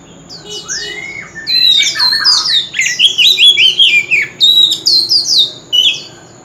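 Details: Male White-rumped shama singing nonstop in a song contest, forest-style voice. A smooth rising-falling whistle leads into an energetic, tumbling stream of loud varied whistles and trills that repeat in quick pulses.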